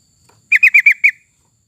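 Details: Sooty-headed bulbul, played to coax other birds into singing, delivers a single crisp phrase of five quick, bubbling notes in under a second against quiet background.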